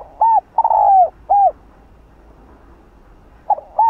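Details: Spotted dove cooing, used as a lure to provoke other doves: a short hooted note, a long drawn, slightly falling coo, then another short note, with the phrase starting again after a pause.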